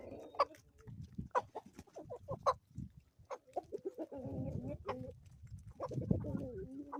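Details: Chickens at a homestead in the Ozarks in the morning: sharp clucks early on, then long, level, nasal hen calls repeated in drawn-out phrases over a low farmyard rumble.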